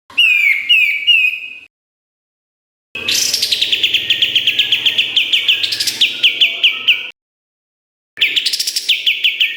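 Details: Lively 'gacor' song of a kapas tembak with sharp fills: an opening run of quick whistled chirps, a long stretch of rapidly repeated ringing notes climbing to a peak, and a final burst after a pause.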